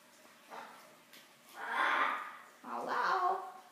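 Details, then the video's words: Pet blue-and-gold and scarlet macaws indoors mimicking human speech, such as "how are you", in hoarse voice-like phrases while dinner is made: two longer utterances about a second apart over faint household noise. "Macaws talking"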